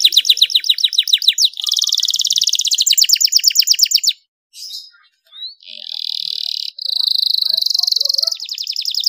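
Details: Energetic canary song of long rolls and ornate turns in a clear voice, used to lure lazy canaries into singing. Fast rolling trills and sustained buzzy rolls, interrupted by abrupt silent gaps midway.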